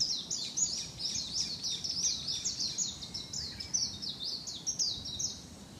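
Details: A warbling white-eye sings in Niiharu Citizens' Forest: a fast, continuous run of thin, high twittering notes for several seconds, over a low background rumble.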